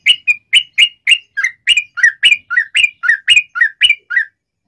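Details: Trucukan bulbul in the long ropel style used to provoke other yellow-vented bulbuls: crisp, rhythmic chattering notes, about four a second, alternating higher and lower pitches in clean succession.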